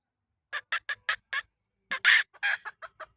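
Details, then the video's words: Hen giving a run of short, even clucks, then after a pause a burst of louder, harsher cackling notes with a few quick trailing clucks. "Poj Qaib Tsauj Seev Zoo Heev"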